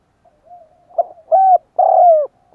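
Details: Spotted dove cooing to lure wild doves: a soft low note, then a short hollow coo, a longer drawn-out coo sliding gently downward, and a clipped final coo, against a silent background.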